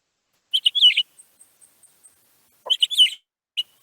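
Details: A Pine Grosbeak gives two quick bursts of sweet, warbled whistles about two seconds apart, with faint high ticks between; these are call notes given when flying off, like a shortened version of its song.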